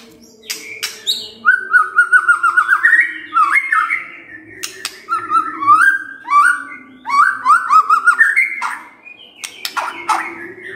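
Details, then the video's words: A white-rumped shama gives rich, varied whistled phrases, some sliding up and down, with sharp chattering notes mixed in, over a steady low hum; a morning song used to prompt silent shamas to answer. "Pancingan PAGI-PAGI AGAR MURAI GACOR❗ murai diam pasti ikut NYAUT❗❗"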